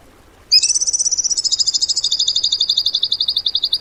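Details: Bird song in the tembakan style, used as training material for cage birds: after half a second of quiet, a loud, high, rapid trill begins and steps down slightly in pitch, continuing as a fast run of sharp notes.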